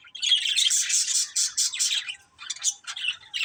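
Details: Budgies from a colourful family flock produce an almost unbroken stream of fast, buzzy chirps, bright and high, stuttering into shorter chattering notes toward the end.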